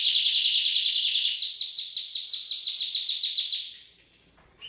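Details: Champion canary song meant for tutoring other birds: a fast even trill that steps up in pitch partway through, with beats repeated several times a second, then fades to near silence.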